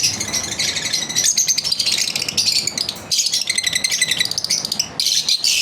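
Lovebirds keep up a dense, harsh chatter of rapid high chirps and buzzy twitters, almost without pause, in a small indoor room.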